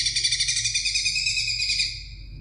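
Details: Greater green leafbird song for tutoring other songbirds: a short run of quick, high, pulsing chatter that slows into a thinner drawn-out trill before fading.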